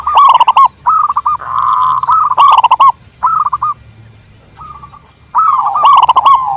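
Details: Zebra dove, local type, in a recording made for trapping and for tutoring birds: choppy cooing notes alternate with sharp rapid rattles, then a near-silent stretch before the song resumes.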